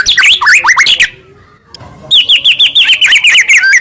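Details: White-rumped shama singing a morning lure song for pet birds: jumbled swooping whistles, a short silence, then a brisk run of repeated upslurred chips that gradually drop in pitch.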